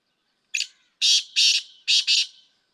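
Black francolin gives a harsh, grating call: a short opening note, then two pairs of loud, rasping notes over about two seconds.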